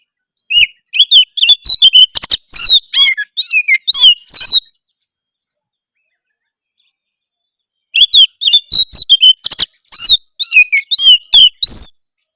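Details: Harsh provoking song of an Oriental magpie-robin used to goad rival birds: two bursts of about four seconds each, made of rapid high chattering and whistled notes, separated by three seconds of silence.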